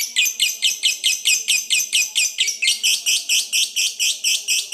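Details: Fighter lovebird trilling in the long 'ngekek' style used to goad rivals into answering; grating, buzzy pulses come steadily around four a second without pause.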